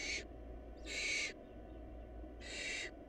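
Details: Three noisy hissing screeches from barn owl nestlings going short of food, the middle one longest, over a steady low hum.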